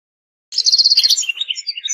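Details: Goldfinch singing: after half a second of silence, a fast run of high rhythmic notes, then twittering phrases that step downward and trail off.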